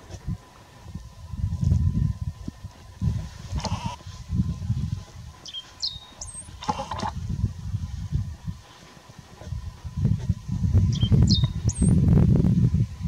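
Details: Great Pampa-finch in song at Itatiaia National Park, Brazil, August 2018; two high, thin whistled phrases, each a brief note then a longer slurred whistle, partly masked by loud low rumbling wind or handling noise.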